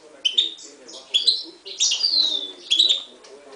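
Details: A 2011 Himalayan goldfinch and timbrado canary mule delivers a few sharp chirps, then a long descending buzzy whistle with twittering notes.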